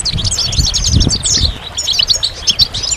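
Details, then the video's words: Brief burst of goldfinch song: quick, high, tinkling twitters and a slurred whistle, notes tumbling over one another, with soft low thumps in the background. "Magical Goldfinch Songs"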